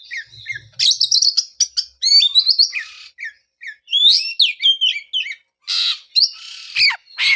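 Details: Oriental magpie-robin, its song serving to stimulate a bird silent since moulting; fast trills, buzzy bursts and looping whistles alternate, with loud harsh rasps near the end.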